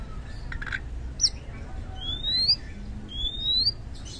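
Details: Oriental magpie-robin in full song, used as a lure to spur quiet birds into singing: a brief chirp, then two long, clean, rising whistles about a second apart, faint low background hum.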